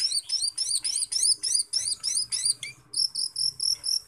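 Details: Cucak keling, the Asian glossy starling, singing energetically as a lure recording to make others sing. High, sharply rising chirps repeat about four times a second in a steady run. A faint low hum sits beneath.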